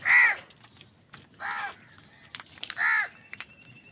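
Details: Crows calling loudly while fighting over food: three harsh, hoarse caws about 1.4 seconds apart, broad and noisy, with faint clicks and a thin high whistle between them.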